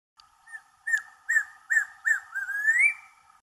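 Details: Loud whistled series from a Watkins's Antpitta perched in a tree at Urraca Lodge after hopping up from the ground, with a faint soft note first, then four short upslurred whistles and a drawn-out rising final note.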